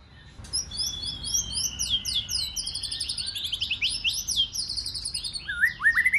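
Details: Wild-caught white-rumped shama in competition singing: a dense, fast cascade of high chirping and trilled notes stacked in layers, ending with lower rich whistled slurs; continuous and energetic with a soft low hum behind.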